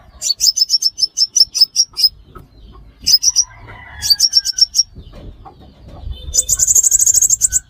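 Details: Sunbird for trapping lure: a steady string of piercing high chips, two shorter bursts, then a dense buzzy high trill at the end, over low background rumble.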